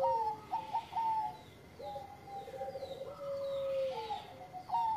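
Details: Bangkok-type zebra dove singing at a distance, soft clipped coos and longer drawn tones over a hissy background, with a louder rising note at the end.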